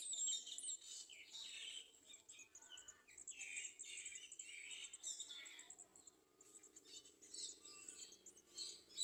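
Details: Olive-backed sunbirds at a nest, where a parent clings to feed its young, give thin, very high chirps and twitters in rapid, overlapping bursts throughout, over a soft high background hiss.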